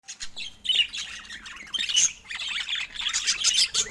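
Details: Pet budgerigars chattering: bursts of high, scratchy warbling notes and squawks come in several loud clusters, with short quieter gaps between them.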